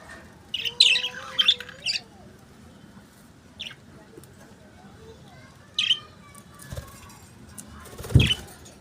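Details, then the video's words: Budgerigars singing and chirping: bursts of bright high chirps with soft warbling underneath, pausing between flurries, ending in a louder clack. "Singing Budgies | Chirping Sounds"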